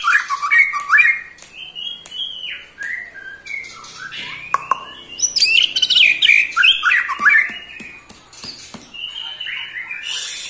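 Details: White-rumped shama aged eight months in ketrekan, riling other shamas: loud rapid chattering phrases of rising and falling whistles, with sharp clicks throughout and a soft fading whistle at the end.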